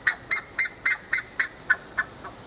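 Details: A buff-necked ibis (Theristicus caudatus), a pasture bird, in Tupi Paulista, São Paulo, gives a loud series of nine metallic, honking notes, about four per second, fading slightly toward the end.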